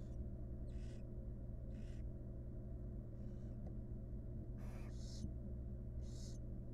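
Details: Barn owl nest box with a mother tending her chicks: a run of about seven harsh, noisy hisses, some loud and some faint, above a persistent low hum.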